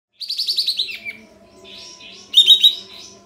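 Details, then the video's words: Sooty-headed bulbul with tail spread, full filler song used as a lure to provoke birds into the shooting singing style. A rapid burst of about six high pulsed notes, a soft warble, then a second loud chattering burst. "Kapas Tembak Buka Ekor Full Isian Untuk Pancingan Katem Bahan Agar Emosi dan Ikut Bunyi Nembak Gacor"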